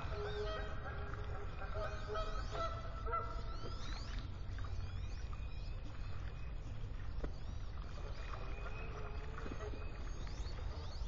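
Ducks calling with geese: nasal, harmonic honks and quacks in short bursts, strongest early on, over a steady low rumble of wind or water.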